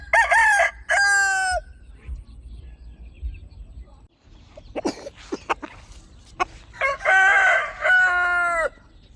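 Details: Chickens kept at home: two loud harmonic crows open the recording, then scattered clucks and knocks, followed by two more long, strong crowing phrases near the end.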